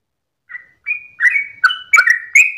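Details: Sooty-headed bulbul at dawn starting its 'ropelan' song: a few scattered whistled notes after a brief silence, then a quick cluster of warbling, bubbly phrases building toward the end.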